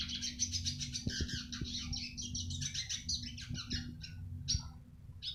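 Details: A Eurasian siskin twitters fast and high in song recorded for training other birds. A dense run fades into scattered chirps near the end. Low knocks and a hum are heard.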